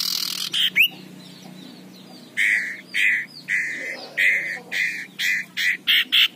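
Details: Male common iora, described as aggressive, opens with a harsh rasp and rising whistle, then a series of about eight short, evenly spaced mid-pitched notes delivered roughly twice a second.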